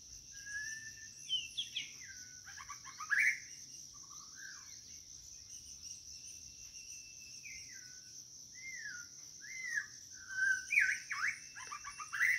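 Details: White-rumped shama calling for a mate: scattered whistled phrases, some looping up and down, others short and clipped, louder bursts near the end, with a constant high-pitched insect hum throughout.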